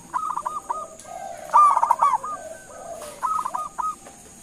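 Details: Local zebra dove calling to provoke answers from other doves: short runs of choppy cooing notes around a louder trilling burst in the middle, a faint high whine throughout.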